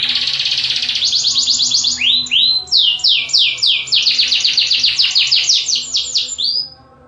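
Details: Canary singing a bright, fast song of repeated high trilled syllables, shifting into a series of rising and falling swooping notes repeated several times a second, ending on a steady whistle.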